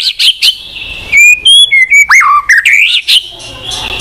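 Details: Murai batu or white-rumped shama singing to prompt a silent bird: short chirps, a held whistle, then a deep swooping slur and quick rising-falling notes.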